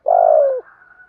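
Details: Decoy spotted dove calling to lure and provoke wild doves: one smooth, loud, low coo about half a second long, falling slightly at the end, then near quiet.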